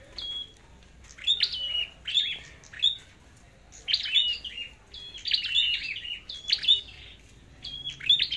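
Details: Red-headed flowerpecker singing in a fighting contest, its fitness checked before heading to the forest: repeated clusters of thin, high ticking chirps and short whistles, several bursts per few seconds.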